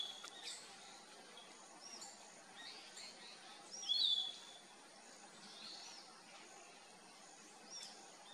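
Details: Bluish-fronted jacamar (Galbula cyanescens) gives a single sharp, high call that drops quickly, with fainter bird notes and an insect hiss in the background.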